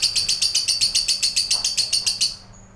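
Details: Fighter lovebird kept by bird hobbyists, giving a long ngekek: a fast, even, high-pitched chattering trill of about sixteen sharp pulses over two seconds, then stopping abruptly.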